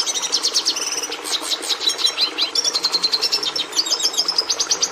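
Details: Continuous Red Siskin song, complex and varied yet not very musical, nearly identical to that of the Hooded Siskin: a rapid, high-pitched stream of chirps, short rattling trills and thin rising notes, steady throughout without a break.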